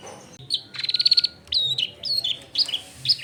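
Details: Long-tailed shrike singing as a lure for other shrikes: a fast trill of bright repeated high notes, then several sharp whistled phrases, over a faint low background hum.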